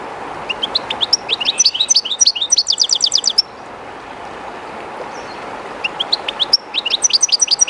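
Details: A European goldfinch, one of its keeper's birds, sings beside the Jerte River's current. A long, tumbling sequence of high chirps and a fast buzzy trill comes first, a brief lull follows, then another quick twittering phrase begins over the river's hiss.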